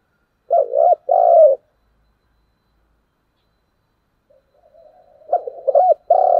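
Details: A spotted dove coos in the morning: a loud phrase of quick coos and a long falling coo, a pause with faint soft cooing, then another phrase begins.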